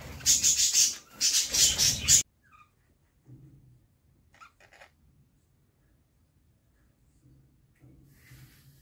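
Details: Budgerigar chicks in a nest box, fed by their mother. Two harsh, raspy begging bursts fill the first two seconds, followed by near silence with faint rustling and a few soft scratchy sounds.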